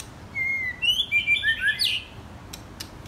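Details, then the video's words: Young White-rumped shama, one of two birds aged 10 and 12 months, delivering a fast warbling run of varied whistles that climbs in pitch, then a few faint clicks. "White Rumped Shama- 10 months old vs 12 months old"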